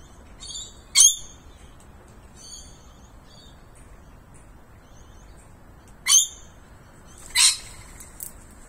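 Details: Rainbow lorikeet (Trichoglossus haematodus) among camellia shrubs, hiding in the bushes then swaying on a branch, gives three loud, harsh, high screeches spaced several seconds apart, with softer squeaky chirps between them over a quiet background.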